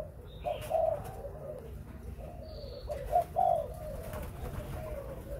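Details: Spotted dove kept for breeding gives soft low coos in a few short phrases, over steady background hiss and hum.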